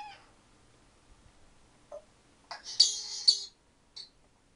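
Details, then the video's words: Ten-year-old pet African grey parrot indoors making sound effects: a few short whistled notes, then a loud harsh rasping burst with two sharp peaks and a fading squeak, set in a quiet room. "African Grey Talking/Sound Effects"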